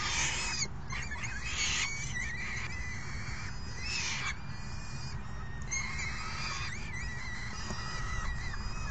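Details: Falcon chicks being fed dinner by their parents, 3 June 2018, screech for food. Strained, wavering whinny-like cries, some sliding in pitch, repeat amid steady low-frequency noise.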